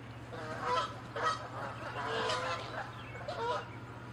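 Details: Canada geese fighting and acting territorial: a run of harsh, nasal honks overlapping one another in a restless chorus over a steady low hum.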